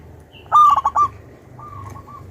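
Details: Energetic, loud-voiced local wild-type zebra dove (perkutut) lure bird. One loud phrase of rapid throaty coo notes is followed by a fainter drawn-out coo over a low rumbling background.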